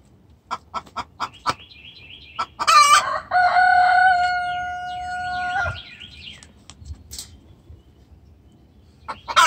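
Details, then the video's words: Distressed hen calling for the rooster: a few rapid clucks lead into a loud squawk, then a long drawn-out tonal wail lasting about three seconds, ending with soft chirps from other birds. "Hen Calls extremely vocal"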